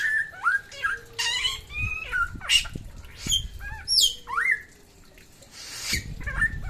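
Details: Samyong from NTB in lively song, mixing sharp squawks, short whistles and downward-slurred notes in an irregular burst, then a brief lull and a harsh rasp.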